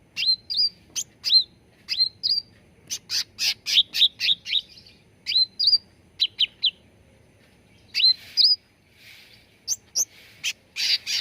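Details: Sooty-headed bulbul training calls used to coax birds into song: rapid strings of sharp, high chirps and slurred flicking notes, with some rougher, harsher bursts near the end and otherwise clean surroundings.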